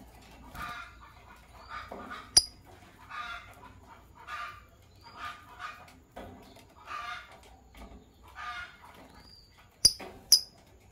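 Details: Green Fischer's lovebird couple chirping in the morning, giving harsh, scratchy chirps repeated about twice a second in an uneven rhythm, with a few thin rising whistles and sharp clicks near the end.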